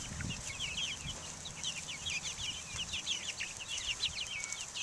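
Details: A group of young Buff Orpington, Black Australorp and Americana chickens out in the air in 2010, steady overlapping high chirps and peeps with a few soft low thumps.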